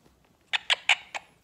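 A Quaker parrot speaks a short phrase, "pretty bird," in four quick, harsh, raspy syllables over about two thirds of a second.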